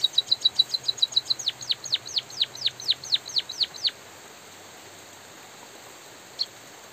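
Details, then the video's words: White-headed munia singing vigorously with natural pauses during light drizzle: about a dozen bright high chirps, then a run of sharp downward-sweeping notes, then silence except a single later chirp, over a steady hiss of rain. "suara burung emprit pipit bondol kaji gacor jeda natural dan suara hujan"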